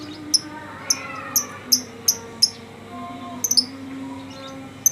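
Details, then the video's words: Contest lovebird, first-place winner at a President's Cup bird contest, giving sharp high chirps in an irregular series of about eight notes, with a low murmur of background voices. "Burung lovebird juara1 piala persiden"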